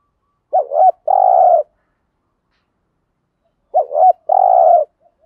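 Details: Lure recording of a spotted dove singing the thúc gù cooing pattern to provoke wild birds into answering. A quick double-dipped note leads into a long, even, low coo, and the phrase repeats about three seconds later in silence.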